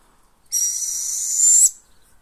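Northern Hawk-Owl giving one harsh, hissing screech, very high and steady, lasting about a second and swelling slightly before cutting off; otherwise quiet.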